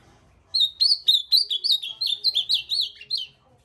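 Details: Ultramarine grosbeak singing one lively three-second phrase of about twelve quick, high, sweet whistled notes, each sliding down, steady and clear over a quiet background.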